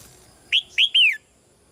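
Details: Female red-whiskered bulbul in a cage, calling softly to stir a male into louder song; a single clear phrase of two short whistles and a longer down-slurred note.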